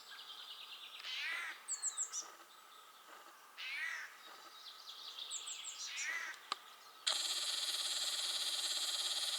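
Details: Eurasian jay in spring, on a morning in Belarus, 12 April 2020: harsh, rasping sweeping calls with a buzzy rising and falling texture, given in short bursts about every two seconds, ending in steady hissing noise.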